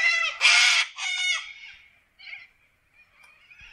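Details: Wild corellas in an Australian forest give loud, harsh, raspy screeches in a quick burst of three, then fainter scratchy calls trailing off.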